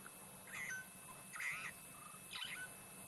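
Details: In the late afternoon near sunset on an African bushwalk, a Burchell's starling sings away at the end of the day. It gives three short bursts of gurgling, warbled notes with slurred whistles, roughly a second apart, over a faint steady hum.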